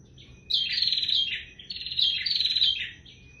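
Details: Bar-winged prinia singing a vigorous song of fast buzzy chirped notes, two bursts of rapidly repeated high trills about a second long each, with a faint sustained high tone behind them.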